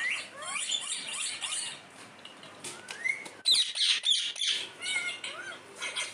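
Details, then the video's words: Pet parrot that speaks the word "mummy", heard here as gliding whistles and a sudden burst of harsh, raspy squawks midway, with noisy background hiss throughout. "mummy bolne wala parrot"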